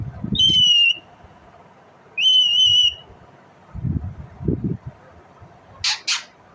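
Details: Indian ringneck parrot giving two loud, drawn-out, slightly wavering screeching calls about two seconds apart, followed by low thumps and a short scratchy rustle.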